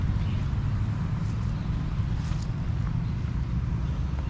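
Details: Low engine-like rumble fills the recording, with faint scattered clicks above it and no clear animal voice.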